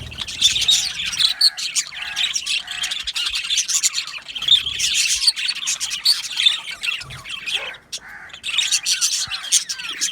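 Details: Aviary colony of budgerigars, said to be happy, keeps up steady chirping chatter: overlapping scratchy warbles, squeaks and short squawks in waves, with brief lulls.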